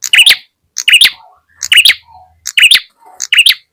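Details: Ashy tailorbird calling as a lure for birds: short clusters of high, sharp chirps and ticks every three quarters of a second, with soft low twitters between the bursts.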